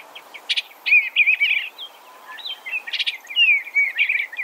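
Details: Eastern Bluebird song: run-together phrases of low, burry warbled notes with quick slurred ups and downs, two bursts of crisp chips mixed in, and a faint quiet stretch between phrases.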